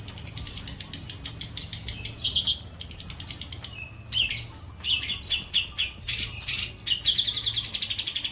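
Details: White-breasted long-tailed shrike with a rich song: a fast, steady series of high repeated notes, a short pause, then louder squeaky chattering and whistled phrases.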